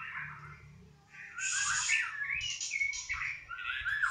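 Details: White-rumped shama (murai batu) of the 'balak 6' type, a former contest winner, singing a varied, loud song: sharp high whistles and chattering phrases alternate with lower warbles in quick succession, with a faint low hum underneath.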